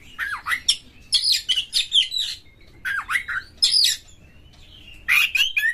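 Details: Oriental magpie-robin (kacer) singing a rough, varied lure song to set other birds singing; repeated bursts of scratchy chirps and down-slurred whistles, with a faint long whistle in a gap before a final burst.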